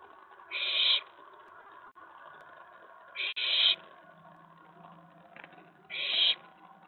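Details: Owlet excited when an owl lands on the nest-box tray late at night, May 19, 2017; three rough, breathy screeches at uneven intervals of about two to three seconds.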